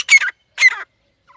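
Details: A partridge pair (teetar) gives two quick, harsh, squeaky double-syllable calls in rapid succession, loud and close, with a faint softer note at the end.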